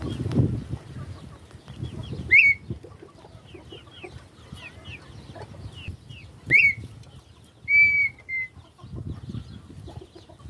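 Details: Red-winged tinamou (perdiz) whistling three loud notes several seconds apart: two rising slurred whistles, then a longer level whistle broken into two parts, over soft background bird chatter and low rustling.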